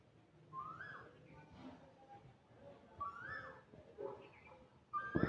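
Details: In India, an Asian koel gives loud, rising whistled 'ku-oo' notes, repeated about every two seconds, over a low background murmur.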